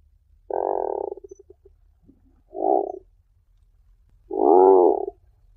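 Tufted puffin giving three low, rough, groaning grunts, the first trailing off in a stuttering rattle, with quiet pauses between them.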